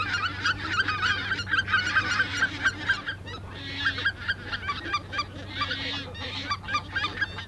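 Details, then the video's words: A flock of Greater White-fronted Geese at the Ahsewiesen nature reserve, 17 February 2019 at 14:50, gives a dense chorus of high, yelping, laughing honks, overlapping continuously, with a low steady rumble beneath. "Greater White-fronted Geese (Anser albifrons) / Blässgänse"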